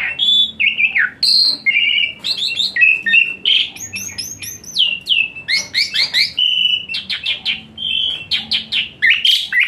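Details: Asian pied starling 'tembakan panas' song, rich in fill-ins, used to coax lazy-singing starlings into singing: rapid, varied phrases of sharp whistles, clipped chirps and squawky notes, delivered almost without pause.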